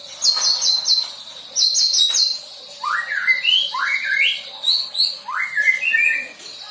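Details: Young white-rumped shama practising learned song material: two runs of very high rapid chips, then a series of swooping whistles that rise quickly and level off, repeated about once a second.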